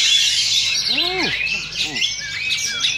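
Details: Oriental magpie-robins in a singing duel at a Sunday practice contest in Sindanglaut, session two. Busy high warbling and sliding whistles. A few arched, lower calls cut through around the first second, and quiet background chatter is present.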